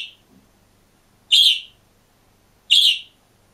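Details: Green budgerigar alone in its cage gives two loud, bright, slightly buzzy chirps about 1.4 seconds apart, with a softer note at the start and near silence between calls.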